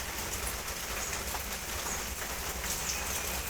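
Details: Steady broadband hiss of heavy rain or rushing noise fills the whole recording, with no animal voice.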